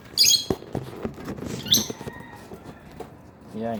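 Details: A captive pair of Philippine hanging parrots, bought in Quiapo, Manila, gives two short, shrill, squeaky notes about a second and a half apart. A person speaks softly and greets at the end.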